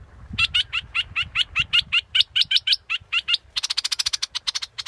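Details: Steady series of sharp, high, downward-flicking notes from a scarlet-backed flowerpecker, about three per second, ending in a quick buzzy high trill with scattered notes; some low background noise.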